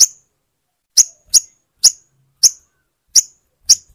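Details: Seven piercing high chips from a crimson sunbird (sogon), spaced irregularly about half a second apart, played to get a silent bird singing.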